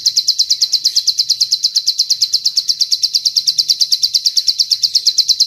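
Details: Bar-winged prinia song with long cililin fill, recorded as a training master: clean, high, evenly spaced chips repeated about three times a second without a break.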